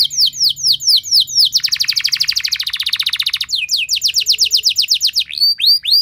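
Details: Singing canary used as a lure for other canaries, with loud, long phrases: looping whistles, a fast buzzy roll, then rapid descending sweeps and a few curved notes closing the passage.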